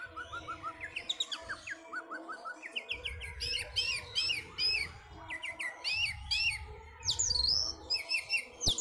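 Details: Orange-headed thrush kept as a contest bird, singing just before competing: quick upslurred whistles in series, then dense bursts of high chips and a bright rising whistle, with low background rumble.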